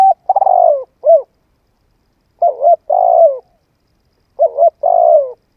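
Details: Spotted dove song for rousing a decoy bird: three phrases, each a quick doubled coo followed by a long, rolling coo that drops in pitch, spaced about two seconds apart, nothing else audible.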